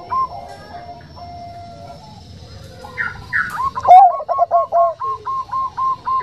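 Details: Zebra dove, Bangkok type, female calling a male softly. A few scattered coos, two higher notes, then a bold accented coo with a rolling burst and a closing string of short repeated coo notes.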